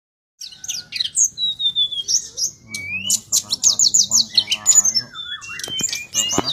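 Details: Sulingan gunung singing a lively gacor song, recorded as training material for other songbirds: rapid high chirps and sweeping whistled notes, with bursts of buzzy trills and lower harsh, nasal sounds in the middle.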